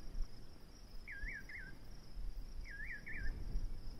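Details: Nightjar with two sets of twisting whistled double notes about 1.7 seconds apart, set against a constant low-frequency rumble.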